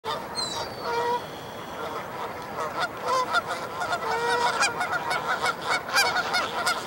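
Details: Canada geese gathered for a gang fight that never really developed, at Dufferin Islands on December 9, 2022: dense, overlapping nasal honks from several birds, some rising and falling, with squeaky high notes and a steady background hiss.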